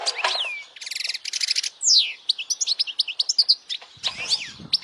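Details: Loud European goldfinch song used to stimulate young goldfinches to sing: a dropping whistle, two buzzy rattles, a long descending slur, then evenly spaced bright chirps and a final rising note.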